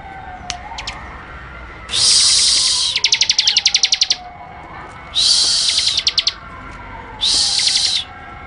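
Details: A wild bar-winged prinia, agitated, gives bursts of harsh, buzzy, high notes and one rapid run of ticking pulses like machine-gun fire, over a faint falling whine.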